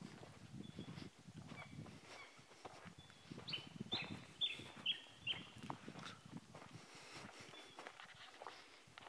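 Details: Two crimson rosellas, one displaying, in the Australian bush in the second week of spring give a few clear, high whistled notes in a short burst over steady rustling and footsteps in dry bush.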